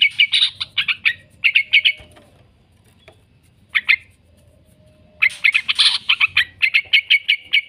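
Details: Yellow-vented bulbul giving a long 'ngekek' chattering song, used as a lure recording for training caged birds: bursts of rapid, sharp, high notes, a near-silent gap with one short burst, then the fast chatter resumes.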